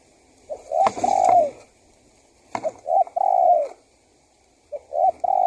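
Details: Spotted dove used as a lure to draw wild doves, giving a three-part cooing phrase: two short coos then a long, slightly falling coo, repeated about every two seconds, with faint clicking in the background.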